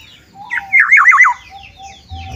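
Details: Black-naped oriole singing outside its cage: a short burst of rich, wavering whistled notes rising and falling in quick loops, then quiet with low rumbling noise.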